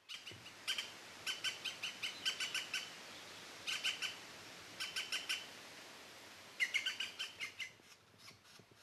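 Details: European green woodpecker, the largest British woodpecker, calling in rapid laughing runs of bright, ringing notes, several quick series of four to six in close succession, with a short pause midway and softer notes at the end.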